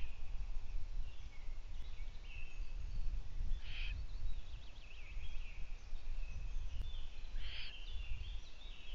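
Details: Owlets at their nest, with two having gone out onto a balcony and the female absent for two days, give two short rasping hisses about four seconds apart over a steady faint hum and low rumble.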